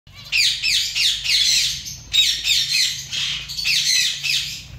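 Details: Zebra finch colony calling together: dense overlapping nasal, harmonic calls, several per second, in bursts with a short lull near two seconds, over a faint low hum.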